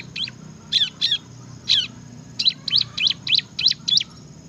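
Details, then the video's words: Bar-winged prinia, known as ciblek, singing gacor ngebren: a few spaced high chirps, then an even, quick string of sharp notes about three per second. "kicau burung ciblek gacor ngebren"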